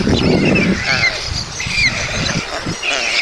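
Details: White stork nest at Mladé Buky, Czech Republic, 20 June 2022, feeding for two beaks: squawky, wavering high calls in three runs, a rough low rustle at the start.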